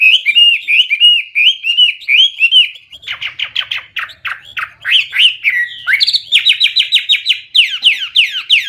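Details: Hwamei (wambi) in full, loud song: bouncing looped whistles, then a fast burst of downslurred notes, then a run of bright, clipped repeated notes.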